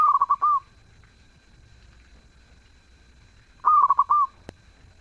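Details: Zebra dove singing actively. Two rhythmic cooing phrases, each a quick series of clipped pulses closing on a longer held note, spaced about three and a half seconds apart. A single sharp click follows the second phrase.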